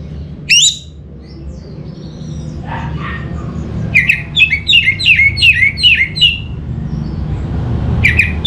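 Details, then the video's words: Orange-headed thrush: a single sharp rising note, a pause, then a rapid series of about eight repeated descending whistles with bright high edges, and one more note at the end. A low hum is beneath. "Suara ANIS MERAH Cepat Gacor"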